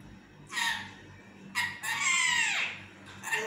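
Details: Pet parrot talking in its sleep while wanting to nap: raspy, harmonic bursts with a long sliding note near the middle, separated by quiet pauses, in a small indoor room with a low steady hum.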